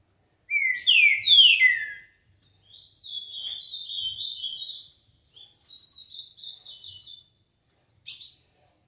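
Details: Green-winged saltator in the 'tio João' song style, doubled: bold downslurred whistles, then two runs of quick, wavering warbled notes, ending in a brief sharp note.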